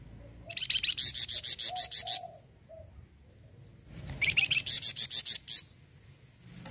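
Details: Flamboyan bird singing its full song as a prompt for other birds: two quick runs of about a dozen high, grating chirps each, with soft low whistles and faint cooing in the pause between.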